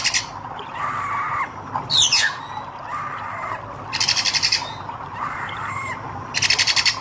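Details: Hair-crested drongo, red-eyed type, in full song: arched whistled notes near the middle register alternating with loud harsh rattling bursts and buzzy rasps, several phrases over seven seconds.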